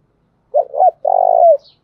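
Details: Decoy spotted dove calling to make wild birds answer: two quick hoarse coo notes followed by a long buzzy, trembling coo that slides downward at its end; quiet background.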